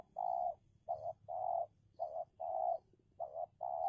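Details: Spotted dove decoy luring a wild dove in a territorial contest. Loud, steady coos alternate short and long at a brisk pace, about two per second, clear against a calm background.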